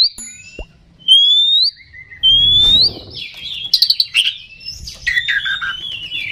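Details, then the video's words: Oriental magpie-robin song used as a lure to provoke rival birds and raise their aggression: clear rising whistled notes, some long and slurred, then a rapid jumble of sharp chirps and buzzy phrases over faint low rumbling. "Suara Pancingan Kacer Agar Cepat Emosi Gacor ! Pancingan Paling Ampuh Buat Menaikan Emosi Kacer"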